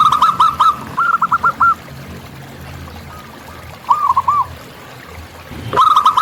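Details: Local zebra dove in the wild giving short bursts of quick hooked cooing notes separated by long quiet gaps, ending with a sharp click and another burst.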